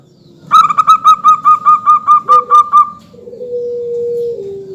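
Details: Local zebra dove singing, used as a lure recording to make other birds call back: about eleven quick, rounded, evenly spaced notes in a clear staccato run, then a drawn-out, lower, steady coo that drops slightly at the end.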